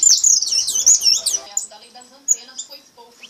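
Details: Brown (pardo) goldfinch song, repique style: a dense, loud jumble of twittering high notes for over a second, trailing off into softer scattered chirps and a final sharp note.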